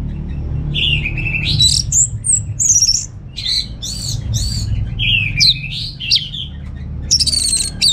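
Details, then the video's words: Orange-headed thrush kept in a cage at home in North Bali, Indonesia: loud slurred whistles and buzzy, scratchy bursts alternating in a lively, varied song over faint background hum. "Receh & Jos Suara ANIS MERAH Berkicau || Pancingan & Masteran Burung di Rumah Padi maupun Sore Hari"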